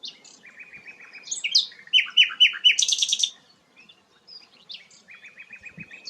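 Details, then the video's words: Sikatan londo, a rare flycatcher, delivers varied high song: a buzzy steady trill, sharp slurred notes and a loud burst of rapid chips, then a short pause before another trill. "burung langka sikatan londo"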